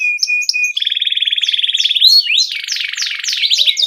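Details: Rolling 'ngerol' song of an energetic canary, used for tutoring juveniles: brief whistled notes lead into a long fast even trill, followed by repeated downward whistled sweeps.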